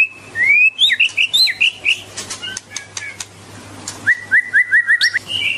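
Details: White-rumped shama pouring out loud, clear whistles: a rising slur, a run of bubbling looped notes, sharp clicks, then a quick series of six rising whistled notes, with a faint hum beneath.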